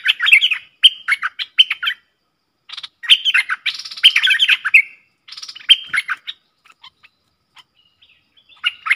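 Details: Streak-eared bulbul pair dueling in song, 30 October 2021: several chattering bursts of quick, bright chirps, then fading to scattered soft single notes before a final short burst.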